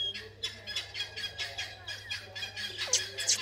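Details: A francolin, the owner's Dakhni teetar of hill stock, gives harsh, scratchy notes in a quick, uneven series, roughly three a second, over a low steady hum and faint music; chukars are also calling nearby.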